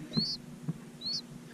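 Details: Say's phoebe at its nest gives two thin, high whistles about a second apart, each sliding up and then leveling off, with a couple of soft low thumps in between.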